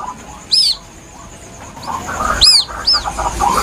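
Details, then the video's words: Plaintive calls of a young White-breasted waterhen, used as a lure: a few high, arched, down-slurred peeps, one single and then a close pair, with faint murmuring background sounds. "Suara anak burung ruak ruak asli nelangsa"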